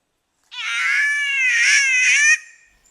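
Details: Green Catbird in Far North Queensland rainforest giving a single drawn-out, nasal wail almost two seconds long, wavering slightly in pitch like a mewing cat; nothing else is heard.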